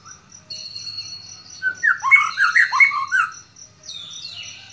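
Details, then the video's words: White-rumped shama, known locally as murai batu, roused by a lure and letting loose its song repertoire: a dense run of rich warbled, slurred whistles in mid-clip over a faint high steady tone, ending in softer high notes. "Murai batu ini bikin emosi dan bongkar isian seketika"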